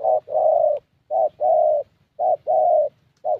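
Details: ["Young 'thổ' Spotted Dove at a decoy meet-up in Gia Lai, Vietnam, with a fairly good voice. Three even two-part coos, short then long, low and warm, and a fourth phrase just beginning."]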